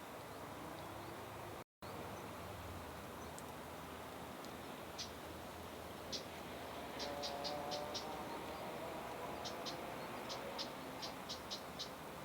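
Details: Siberian long-tailed rosefinch in a park: short, thin, high notes given in loose bursts of three to five, then a pause and another run, over a steady low hum of background noise.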